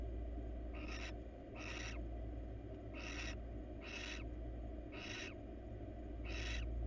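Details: Wild adult female barn owl at a research-monitored nest box, seeking attention: a run of rasping, breathy screech bursts, evenly spaced a little under a second apart, six in a row, with steady low humming noise underneath.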